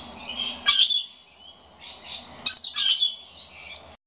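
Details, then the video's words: Scaly-breasted lorikeet complaining about an empty birdfeeder: harsh, grating screeches in broad high-pitched bursts, the loudest near the start and again midway, with softer raspy chatter between them. "Scaly Breasted Lorikeet"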